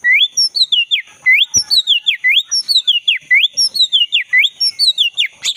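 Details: Forest recording of a vigorously singing black-breasted Oriental magpie-robin, used to stir a caged bird that has stopped singing: an unbroken run of bright, looping whistles repeated rapidly and evenly, with a faint constant high hiss.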